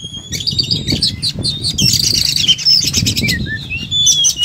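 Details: Kacer, the oriental magpie-robin, in 'tarung' mode: high whistled notes leading into a long dense buzzy chatter, then descending slurred whistles and more twittering, backed by low rumbling noise.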